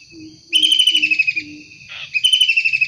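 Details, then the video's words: Wild long-tailed shrike calling: loud harsh rasping bursts, each a rapid pulsed stutter sliding slightly downward, two bursts separated by a pause, with faint low hooting notes in the background. "Tengkek udang gacor asli alam liar"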